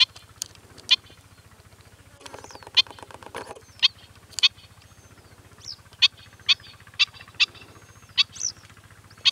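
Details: Black-winged stilt calling repeatedly with short, piercing yapping notes, roughly one or two per second, a brief rattling burst near the start, faint thin whistles between, and a steady low hum behind.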